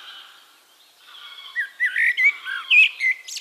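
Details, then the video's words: A singing Eurasian blackbird, recorded in Castricum, the Netherlands. Faint high twittering from other birds comes first, then a loud, rich, fluting phrase of several warbled notes rising and falling in quick succession. "One Hour Relaxing Birdsong: Blackbird"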